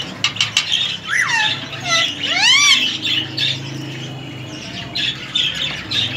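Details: Three-year-old male ring-necked parakeet, semi hand-tamed and kept indoors, uttering loud screechy squawks that sweep up and down, several in quick succession, then quieter chatter and room noise.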